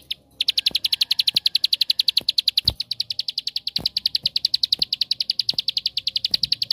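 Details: Bar-winged prinia 'tembakan' song, a lure to draw other prinias into song: nearly seven seconds of continuous, very fast, high ticking trill, with soft knocks in the background.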